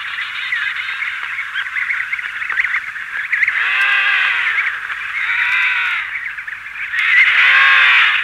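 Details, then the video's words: Emperor penguin adults and chicks calling in a colony at Cape C, wing beating heard; busy chorus with three loud, rich, arching trumpet calls standing out, each lasting over a second, over steady hiss. "Emperor Penguin / Colony MD, Calls From Adults And Chicks With Wing Beating"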